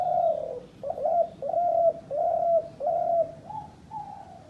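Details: Dove used by hunters as a decoy bird, calling in a steady series of low, hollow coos. Each note is a short, slightly falling hoot, repeated roughly every 0.7 seconds, with quiet background.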